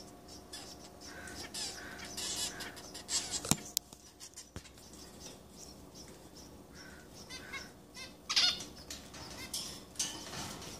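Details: Begging zebra finch chicks in a cage holding three breeding pairs, young hatched that day, the day before, and 18 days earlier, fed by parents including the father; rasping, noisy squawks in clusters, with a few sharp clicks and a faint hum.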